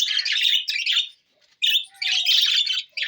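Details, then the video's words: Budgerigars, June 20, 2024: two quick runs of bright, buzzy chatter split by a second-long silence, with a thin, soft whistle slipping beneath the second burst. "Budgies Parrot so Bueatiful sounds"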